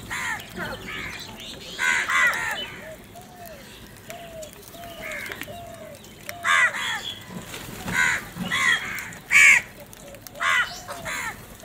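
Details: Crows feeding in the morning, harsh caws scattered across the clip alongside softer, lower calls from other birds, in open outdoor ambience.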